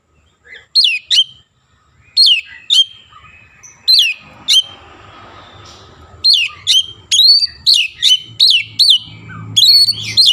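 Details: {'text': 'Oriental magpie-robin singing prolifically, its song filled with Javan myna sounds: loud, sharp whistled notes sweeping down from high pitch, in bursts that grow denser toward the end, with a faint low hum beneath.'}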